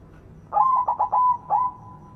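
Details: White zebra dove, a frequent and loud singer used to lure silent doves into song: a single bright phrase of four quick throbbing coos, a pause, then a final coo trailing into a thin held tone.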